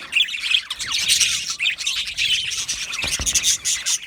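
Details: Many Australian budgies in an aviary colony, chirping and squawking over one another; quick downslurred notes and scratchy warbles form a continuous busy flock chatter.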